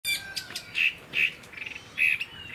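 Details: Caged Chinese hwamei, a long-bodied fighting bird that fans its tail, giving short, bright chirping notes in quick separate bursts, some loud and some soft, with a faint hiss behind.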